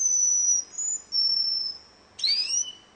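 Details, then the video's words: Russian canary in a singing contest holds long, pure, very high whistled tones with small steps in pitch, then a short gap before a brighter, falling whistled phrase. "kontes kenari rusia suara unik dan keren"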